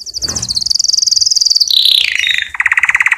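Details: Song of a canary meant for tutoring young birds: very fast high trill stepping down in pitch through several rolls, closing with a lower rapid pulsed rattle.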